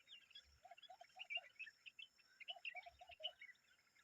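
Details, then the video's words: A common babbler with young birds keeps up a busy, scratchy chatter of high chirps, while paired runs of four lower, evenly spaced piping notes sound twice. "The common babbler and her babies are making noise"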